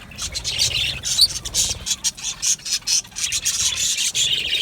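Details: Budgerigar colony in an aviary, Australian budgies: continuous busy twittering and scratchy chirps from many birds overlapping, pulsing in short bursts, over a soft low background hum.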